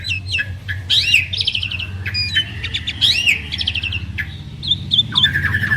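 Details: Asian pied starling, two prized birds duetting: arching whistles, harsh buzzy chatter and short clicks, varied and irregular, over a constant low rumble.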